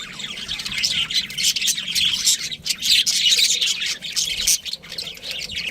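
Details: Cute pet budgie chirps continuously, a bright warbling chatter of high squeaky notes and clicks with brief pauses.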